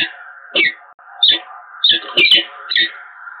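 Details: A peregrine falcon pair in a lengthy getting-acquainted exchange at the Evoluon, Eindhoven, 7 March 2022. Four or five sharp, rasping calls sound about every half second over a steady tonal drone.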